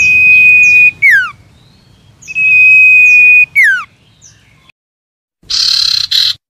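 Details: Common iora (sirtu/cipo) song for prompting silent caged birds to sing: two long, steady whistles, each ending in a steeply descending slur, followed after a pause by a brief, harsh, buzzy burst.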